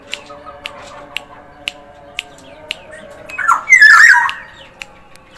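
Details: Black-naped oriole from Sumbawa, singing actively: after quiet stretches, a short loud burst of harsh, twisting, squawky notes with fluty overtones, over sharp regular ticks about every half second and a steady low hum.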